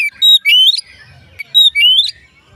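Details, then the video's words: Two similar phrases from an Oriental magpie-robin, a song meant to trigger other magpie-robins into song, each a short note followed by a long whistle sliding upward, separated by about a second of quiet. "dijamin Kacer lain ikut bunyi"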